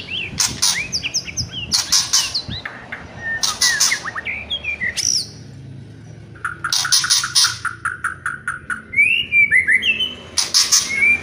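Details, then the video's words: Song of a white-rumped shama in the kretekan and whistling style. Loud crackling bursts alternate with looping whistles, a repeated string of short whistled notes, and high twisting phrases. "DONGKRAK EMOSI MURAI BATU... KRETEKAN & SIULAN"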